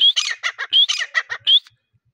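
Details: Grey partridge call in breeding season: rising whistles each followed by a string of harsh, chattering notes, the phrase repeated three times in quick succession.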